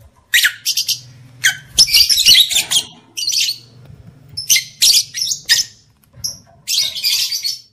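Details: Female lovebird's breeding-stimulation calls: rapid, irregular shrill chirps and rasping notes, a few short whistled pips, over a faint low hum.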